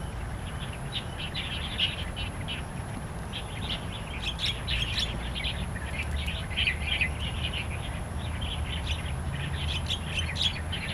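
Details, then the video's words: Starlings in the wild in Taiwan, recorded with kapasan birds: a dense, busy chatter of sharp twittering chirps and squeaky notes, louder in the middle, set against a constant low hum. "Kemerduan burung jalak& kapasan di alam liar"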